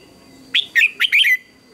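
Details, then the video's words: A red-whiskered bulbul in morning competition-style song training gives a quick run of four bright, warbled notes sliding up and down, over a faint steady hum. "Chào Mào Hót Đấu Sáng"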